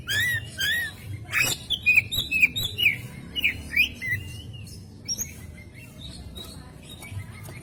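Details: Oriental magpie-robin masteran song, lively gacor nembak delivery: a rapid string of about ten bright, slurred whistled notes early on, then softer scattered chirps, with low humming noise beneath.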